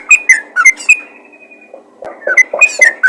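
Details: Yellow-vented bulbul calling other bulbuls: four sharp whistled notes, a thin sustained tone fading into a near-silent pause, then a fresh burst of quick alternating whistles with some lower, softer notes.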